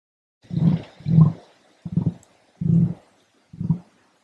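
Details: One of two emus filmed at Lithgow, New South Wales, gives five deep, throaty, drum-like grunts, each under half a second, in an irregular series with short silences between.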